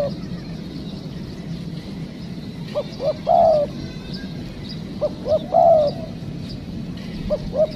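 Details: During spotted dove trapping with a decoy bird, two clear phrases of short hoots and a drawn-out sliding coo, then a lone hoot at the end, above a quiet humming background.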